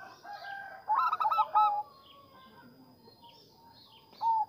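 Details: Lure song for stimulating zebra doves: one burst of quick, stuttered cooing notes, then quieter background calls and a single faint coo at the end.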